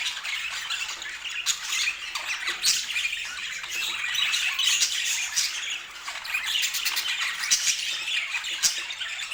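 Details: Budgerigars squawk and warble together in a dense chorus, with sharp clicking notes poking out and a brief dip in volume just past the midpoint.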